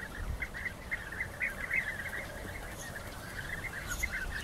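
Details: European bee-eaters during rival fights: a dense, continuous chatter of rolling, burry calls from several birds overlapping, with soft low rumbling noise underneath.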